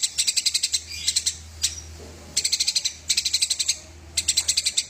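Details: Eurasian tree sparrow fighting, in a recording made for training songbirds: bursts of rapid, harsh chirps, about ten per burst, separated by short pauses, over a steady low hum.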